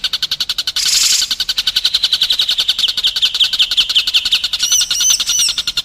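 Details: White-rumped shama training song meant for contest birds and young birds learning fill-in phrases: a fast stream of high, evenly pulsed chirps after an opening harsh noisy blast, with clear whistled slurs near the end.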